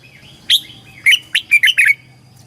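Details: In Thailand a red-whiskered bulbul sings in the southern master style, used to excite caged birds and teach young birds: a single high note, then a lively run of five bubbling whistled notes.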